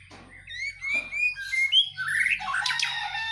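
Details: White-rumped shama in vigorous song during morning dew exposure: a string of clear rising whistled notes that climbs in pitch, then a burst of harsher buzzy, chattering phrases.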